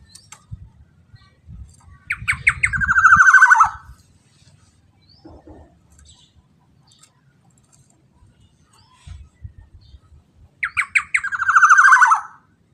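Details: Black-naped oriole lure phrase, repeated twice about nine seconds apart. Each phrase has several short, rising notes, then a loud, buzzy, descending roll, with faint low clatter in between.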